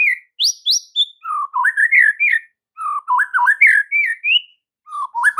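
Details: Training song of a white-rumped shama meant to rouse silent caged birds: fast run of rich, liquid whistled phrases, rising and falling notes joined in quick succession with short pauses between bursts.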